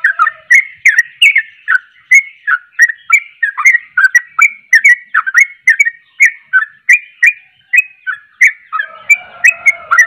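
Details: Sooty-headed bulbul singing fervently to excite rival bulbuls, a continuous tumble of quick whistled chirps rising and falling, with a low humming sound joining near the end.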